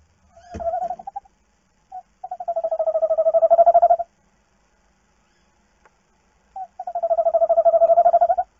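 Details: Tawny owl at night at a nest box filmed by webcam, the female going out while the male guards the eggs; a brief note, then two long, pulsed, wavering trills near 700, each lasting one to two seconds, with a short click at the start.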